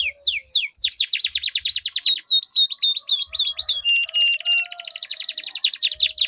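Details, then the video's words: Duelling canaries in long rolling song meant to trigger silent birds to sing: fast trains of repeated high whistled notes, dense rattling trills, then a long buzzy roll with a steady tone beneath. "Duel Burung Kenari Suara Merdu Ngerol Panjang || Pancingan Ampuh Kenari Macet Gacor Ngerol Panjang"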